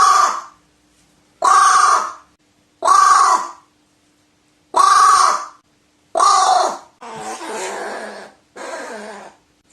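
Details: Crow calling: loud, harsh, hoarse caws, each under a second long, repeated roughly every one and a half seconds, five clear caws followed by a rougher, noisier final call, with silence between them.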